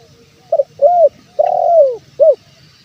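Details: Male spotted dove calling to lure wild doves: a quick double note, then soft hooting coos, one long drawn-out and falling, ending with a short rounded note, over a continuous high insect-like hiss.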